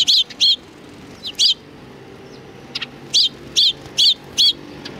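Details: Greeting sparrows at a Tenmangu shrine, 3 July 2020, give a pair of bright chirps, a lone call, then a run of four regular chirps roughly half a second apart, with faint twitters in between.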